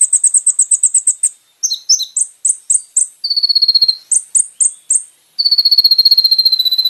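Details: Van Hasselt's sunbird, recorded as training material for caged birds, sings fast high chip series, squeaky varied notes, and long, level, buzzy trills of rapid repeated notes.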